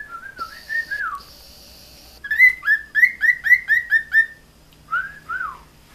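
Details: A male pet cockatiel, Marco, sings to one of his own moulted feathers handed to him, giving a quick run of bright, down-slurred whistles, then two more.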